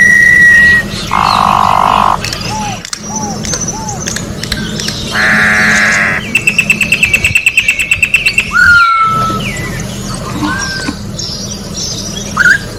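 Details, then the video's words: Orange-backed troupial singing in nature: two long harsh buzzy blasts, a burst of rapid clicking notes, then clear slurred whistles rising and falling, over a steady low hum. "Corrupião Cantando na Natureza melhor canto pra encarte Corrupião"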